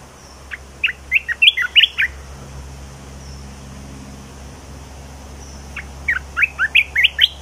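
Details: Caged red-whiskered bulbul giving two matching bursts of new song, each about six or seven crisp, lively warbled notes in quick succession, separated by a few seconds of low hum.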